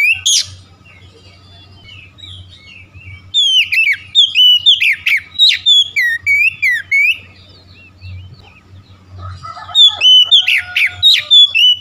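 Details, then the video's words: Oriental magpie-robin singing a morning lure to wake a reluctant bird into song: bursts of varied sweet whistles and sharp chirps in rapid phrases, with short pauses between phrases, over a steady faint low hum. "pancingan pagi atasi cepat Kacer lelet bunyi langsung gacor"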